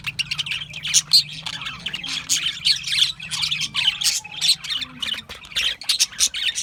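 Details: Budgies, Australian budgerigars, squawking and chirping: rhythmic bursts of harsh scratchy chatter and high tweets, rising and falling in loudness every half second or so.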